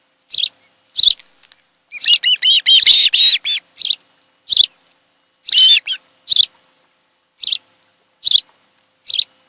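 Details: Ospreys at a nest on Kent Island, Maryland in late July: steady sharp chirps roughly every half second, broken by a dense burst of overlapping whistled notes and another brief ringing call.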